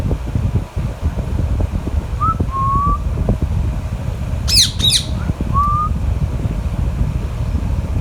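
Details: Alexandrine parakeet feeding on mango with a Ringneck parrot nearby; soft flat whistled notes, then two loud, grating squawks in quick succession, followed by another short whistle, over constant low rumbling background noise.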